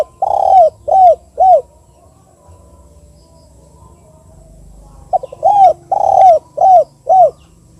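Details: 'KUK 2' type call of the Spotted dove, known locally as tekukur, used as a lure for derkuku: three mellow, descending coos, a pause of about three seconds, then a phrase of five coos.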